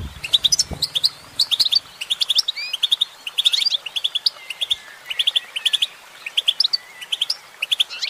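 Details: Female goldfinch singing: a rapid, bright twitter of clustered high chirps, repeated in quick bursts with short gaps, a few soft low thumps at the start.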